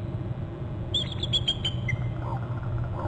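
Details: Two bald eagles trilling at a Hornby Island nest, 25 November, 11:19, captured by a nest camera after one lands on a branch. After a quiet start comes a run of high, piping staccato notes ending in a lower note, with steady low background rumble.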